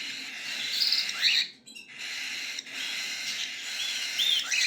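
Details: Cockatiel chicks give high, rasping wheezy calls with rising and falling strokes, in bursts broken by short silent gaps.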